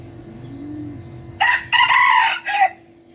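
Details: Mini red junglefowl decoy cock, a diligent crower at dawn, from Bình Phước, Vietnam: after a quiet start, a loud crow in four ringing bursts, the long middle phrase held steady before a short clipped ending.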